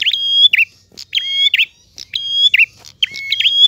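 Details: Clear-voiced prinia giving 'gacor ngalun' song: quick phrases of a click, a sustained high whistle over a lower note, and a dipping flourish, repeated close together with a faint low hum.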